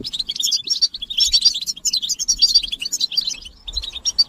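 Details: Twittering European goldfinches in a chorus used to stimulate singing in males. Bright, rapid high notes and tinkles tumble together and thin out slightly toward the end.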